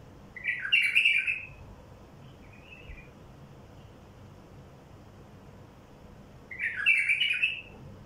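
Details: Wild bulbul song, used to prompt other wild bulbuls to sing, gives two short, bubbly warbled phrases about six seconds apart, with a soft, brief note between them against a quiet background.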